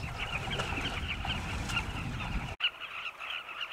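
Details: At sunset in Zambia, Carmine bee-eaters fly in flocks around nest tunnels dug into a cliff, feeding chicks; overlapping rolling calls sit above heavy low wind buffeting, cut by a brief dropout.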